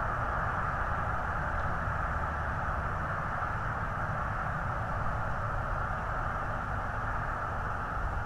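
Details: Constant even hiss and low rumble throughout, with no animal calls.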